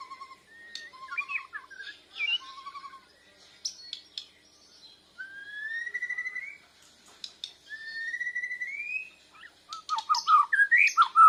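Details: Bornean white-rumped shama in training, answering lure sounds while learning its song. Scattered chirps give way to long clear whistles sliding upward, then a loud burst of quick varied notes.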